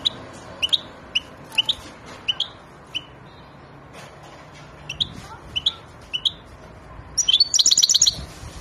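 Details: European goldfinch ready to mate gives spaced, high chirping call notes in pairs every second or so, then breaks into a short burst of rapid tinkling twitter near the end, over faint background hiss.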